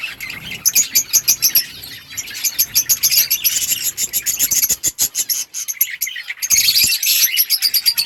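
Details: Colony of budgerigars chattering together, high scratchy warbles and quick repeated chirps from several birds, nearly continuous with a short lull before a renewed burst of chatter.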